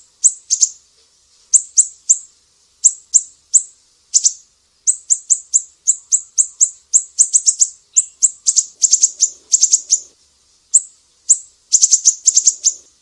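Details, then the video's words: Mangrove whistler from Sumatra, master recording for training songbirds in piercing 'besetan' style: long sequence of shrill high chips, spaced singly at first, then crowding into rapid bursts of three to five. "SIRI SIRI SUMATRA, BESETAN PEDIH"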